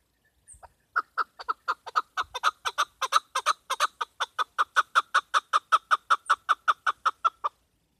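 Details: Calling female chukar, a sound used for hunting: a long, rapid, even series of about thirty raspy chuk notes, roughly four a second, holding steady loudness for over six seconds.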